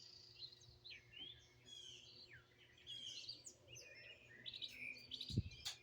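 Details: Several wild birds singing and chirping outdoors in Greenville, South Carolina, recorded raw on a phone: overlapping whistled phrases and short swooping chirps, with a brief low thump near the end and steady low hum.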